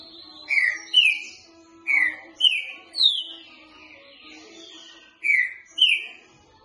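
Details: Green-winged saltator with boca mole singing, recorded for training. Clear whistled notes rise through a phrase of about five notes, then a pause, then two more notes. A steady low tone sounds throughout.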